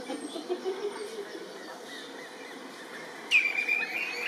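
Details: Common ringed plover (Charadrius hiaticula), a species threatened with extinction in Germany, gives a single sharp, high whistled note near the end, over a faint steady hiss and soft background murmur; call.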